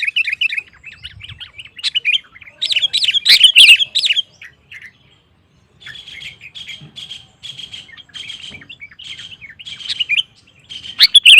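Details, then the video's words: Actively singing sooty-headed bulbul, used to stir other bulbuls into answering song: a dense run of harsh, squawky chirps, a short pause, then a steady series of clipped, evenly spaced tweets. "Suara Burung KUTILANG GACOR Memancing Lawan Kutilang Lain Emosi Ikut Gacor"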